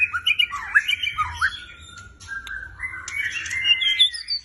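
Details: Black shama fighter bird singing: quick looping whistles and squawky chips, then a sustained stretch of smoother whistled notes and higher sharp accents near the end.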